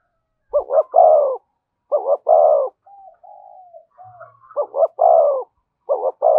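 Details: Thổ-voice coo song of a spotted dove with thúc and kèm phrasing. Deep, hollow two-note coos come in pairs. A quiet, drawn-out humming phrase sits between the louder bursts.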